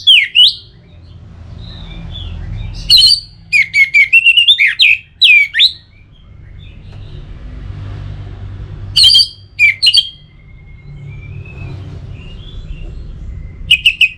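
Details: Orange-headed thrush song played to stimulate other birds into singing: bursts of loud, sharp whistled and warbled phrases around 0, 3-5 and 9-10 seconds, split by quiet gaps over a steady low rumble.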